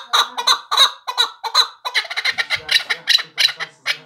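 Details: A male chukar partridge (Alectoris chukar) gives a rapid series of harsh, clucking chuk notes, about three per second, building into a hurried, excited rally.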